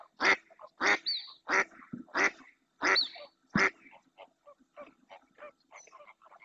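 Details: Insistent calling by a female mallard in the marshes of Doñana, Spain, with another female and two drakes approaching. Loud rasping quacks come roughly twice a second, then fade into quieter chatter and faint chirps.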